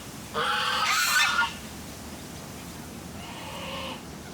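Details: In a city park by a pond with ducks, moorhens and geese on a breezy day, a goose gives one loud, nasal, drawn-out honk, then a softer second honk a couple of seconds later, over a low breezy rumble.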